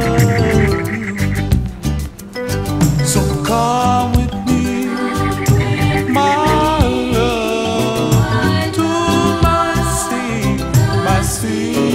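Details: Only music is heard, a full band arrangement with steady beat and melodic lines, and no animal calls.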